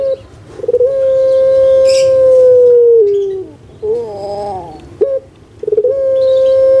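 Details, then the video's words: Kept puter pelung collared dove, played to coax reluctant birds into calling: a short gurgling note, then one long, steady, hollow coo held about two seconds before a drop, then more rolling notes and another drawn-out coo. "PUTER PELUNG YG MALAS BERBUNyi"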